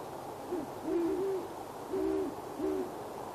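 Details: Great horned owl couple calling to each other from a tree in Boulder, Colorado, after dark, January 21, 2016; a few low rounded hoots in three groups, paired tones slightly offset in pitch, soft steady hiss underneath.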